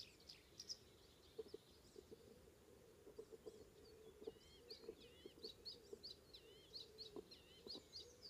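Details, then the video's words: Icterine warbler singing on the morning of 19 May 2016 near Hollum, Ameland, Netherlands: rapid wavering, wiry high notes and scattered clicks, rather distant, over a steady low hum. "Icterine warbler / Hippolais icterina"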